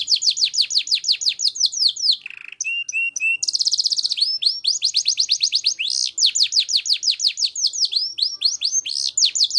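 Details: Canary in full 'gacor' song, 'cengkok mewah' style: a long unbroken run of high falling whistles, a few short lower buzzy notes, a very rapid high trill, then rising sweeps and rolling phrases carried on without pause.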